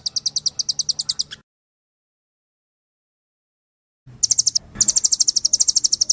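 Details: Velvet-fronted nuthatch song from a tutoring recording: a fast trill of thin high notes cut off by silence, then resuming as a quick, slightly accelerating series of sharp chips.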